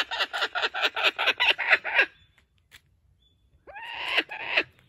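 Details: Laughing kookaburra in a wildlife sanctuary, laughing from a perch while holding a stolen joey's toy. A quick chain of harsh, clipped notes lasts two seconds, then after a quiet gap come rising, drawn-out raucous calls.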